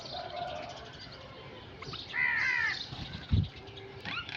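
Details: Crow giving a single harsh, harmonic caw lasting about half a second, set against a busy background of other bird chirps and a low thump near the end.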